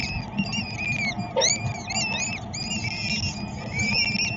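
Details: Feeding time for peregrine falcons in Szczecin, Poland, 22 April 2021: continuous thin, squeaky, arched calls overlapping one another, over a low steady background hum.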